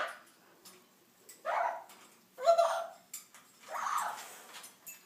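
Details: Two pet parrots in a dispute indoors after one flutters over to the other's cage to start trouble; three harsh, broad squawks at about 1.5, 2.5 and 4 seconds, with quieter clicks and rustles between.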